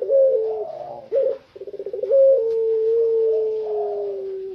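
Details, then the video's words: Tame spotted dove singing while free outside its cage, giving low, drawn-out cooing notes with a stuttering run of short pulses in the middle, ending in a long, slowly falling hoot. "BURUNG PUTER PELUNG JINAK TOTAL,GACOR DI LUAR SANGKAR"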